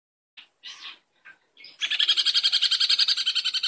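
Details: Long-tailed shrike in a training recording for songbirds: a few short scratchy notes, then a loud, harsh, buzzy rattle of rapid even pulses held for about two seconds.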